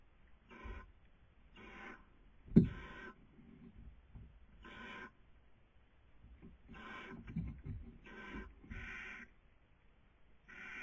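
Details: Barn owl at a nest webcam in Cabañeros National Park, Spain, during the 2020 breeding season: repeated breathy hissing bursts, each about half a second long, at irregular intervals, with a sharp knock and faint rustling in the nest.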